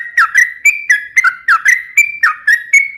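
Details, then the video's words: Sooty-headed bulbul singing in lively form, a recording meant for luring and tutoring other birds: bright whistled phrases, each a quick dip then a level note, repeated roughly three times a second. "suara trucukan gacor cocok untuk pancingan dan masteran"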